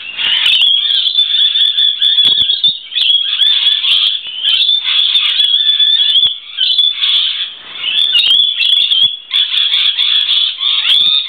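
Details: Lorikeets sheltering from rain on a verandah on a wet day, a male flapping his wings and standing tall to hold a female's attention; loud, nearly continuous shrill screeching and chattering from many birds, with brief pauses.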